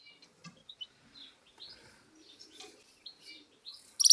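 A goldfinch-canary hybrid sings soft, high, twittering phrases of quick chirps and short trills, ending in a sudden loud, sharp burst.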